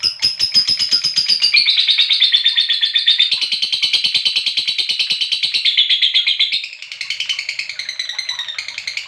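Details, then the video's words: Lovebird giving a long 'ngekek' trill, used as a lure to make other lovebirds trill: a high, rapid chattering roll of fast-repeated notes running continuously for about nine seconds, dipping slightly in pitch midway and softening near the end. "Suara Burung Lovebird Ngetik Ngekek Panjang Buat Pancingan Burung Lovebird Ngekek Panjang"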